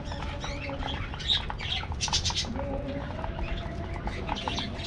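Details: Budgerigars in an aviary colony: scratchy squawks and short chirps in bursts, some buzzy and harsh, over a steady low hum and background clicking.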